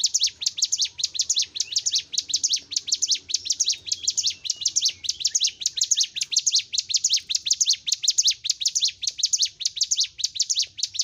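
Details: Bar-winged prinia (ciblek gunung) in nonstop gacor song, used as a master recording for caged birds: rapid, high, sharp chirped notes in tight bursts, repeating steadily about every half second for the full stretch, with a faint low hum beneath.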